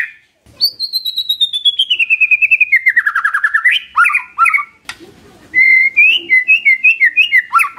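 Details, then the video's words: White-rumped shama lure song to trigger a silent bird's reply: a long high whistle sliding steadily downward in rapid pulses, rough chattering notes, then lively varied whistled phrases. "PANCINGAN SANTAI & EFEKTIF❗❗ murai DIAM langsung respon NYAUT❗❗"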